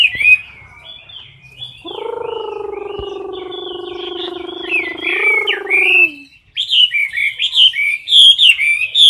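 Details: Caged Chinese hwamei in competition singing, close to the cage bars, roused by a light hiss: high whistled phrases warble on throughout, while a steady low droning tone runs beneath them for several seconds before the singing turns louder and choppier.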